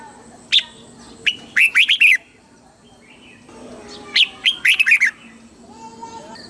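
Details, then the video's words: Red-whiskered bulbul, caged, Thailand, singing southern master phrasing to stir and teach other birds: a single chirp leading into a rapid five-note warble, repeated after a pause, with quiet low whistles in the background. "เสียงนกกรงหัวจุก สำหรับต่อ หรือ เปิดให้นกคึก เสียงเพราะๆ"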